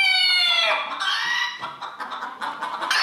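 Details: Rooster crowing at a 2022 crowing competition in Villers-la-Ville. A single strong, harmonic crow opens the recording and fades within a second, followed by busy clucking and murmuring from other fowl and people.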